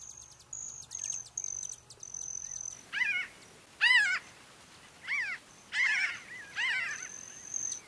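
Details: Pinyon jay flock calling while foraging and flying at Great Sand Dunes, San Luis Valley, southern Colorado: nasal, harmonic mewing calls in scattered bursts from several birds, with thin high steady tones running behind.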